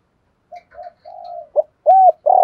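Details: Spotted dove decoy calling to incite fighting: it opens with quiet, muffled short coos and a long soft hoot, then builds into a loud clipped note and strong arched coos, close and clear.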